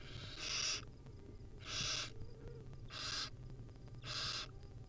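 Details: Begging from hungry wild barn owl nestlings fed tiny morsels by their mother: four loud, breathy screeching hisses, each under half a second, spaced about a second apart, over low background hum.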